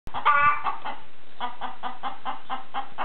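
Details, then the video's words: Chicken clucking: a harsh burst at the start, then a steady run of short, even clucks about every fifth of a second. "Chicken Making Noise"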